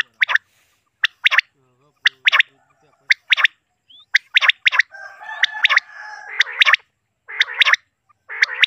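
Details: Three common quails give sharp, liquid three-note calls, 'wet-my-lips', repeated about once a second, with a rougher, noisier calling overlapping in the middle.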